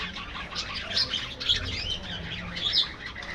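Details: Aviary budgerigars twitter in a busy colony, high chirps and short warbles rising and falling in loudness.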